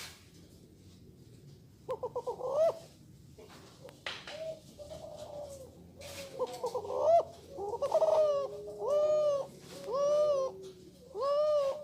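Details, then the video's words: Spotted dove, a male F3 Kelantan cross known as a multi-kuk singer. After a quiet start and a burst of quick stuttered notes, it gives a run of drawn-out, even coos repeated roughly every two seconds. Light background clatter is heard. "Suara Tekukur Kres F3 Kelantan Multi kuk 🕊 ~ The sound of Spotted Dove"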